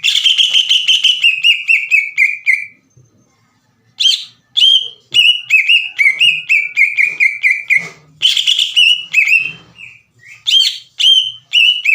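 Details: Green leafbird singing hard to make other leafbirds join in: a buzzy opening, then repeated fast whistled notes with upward flicks, interrupted by short pauses and further harsh bursts.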